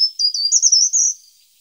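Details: Short-toed treecreeper singing: a brief high, thin phrase of quick descending notes rising into a sharp trill, about one second long, with no other sounds.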